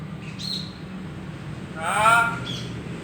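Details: Common hill myna, a kept talking bird, gives one short harsh speech-like utterance of about half a second with stacked harmonics, preceded by faint thin chirps, over a low steady hum.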